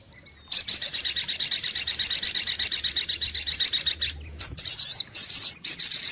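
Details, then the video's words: Lure recording of a sunbird called sogok ontong: a dense, high, buzzy trill of rapidly repeated notes lasting several seconds, then broken chirps and a resumed trill. A faint low hum sits underneath. "SUARA PIKAT mp3 BURUNG SOGOK ONTONG"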